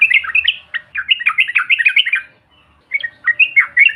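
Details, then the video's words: Provoking trucukan call of a yellow-vented bulbul, in the bahan or ombyokan style. A lively stream of liquid warbled notes bounces between low and high pitch, pauses briefly, then resumes with scattered bright whistles. "TRUCUKAN BAHAN ATAU Ombyokan, Paut BISU Seketika BUNYI NGAMUK Mendengar SUARA INI"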